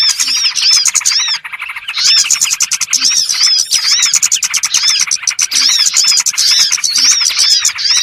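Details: Lure call for trapping small birds: crowded high twittering and repeated upswept chirps, with one short lull early before the dense chorus returns.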